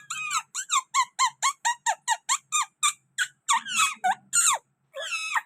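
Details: Green parrot from Pakistan calling at a window: a steady run of about a dozen short, evenly spaced squawky notes, then a few louder harsh screeches and a brief pause.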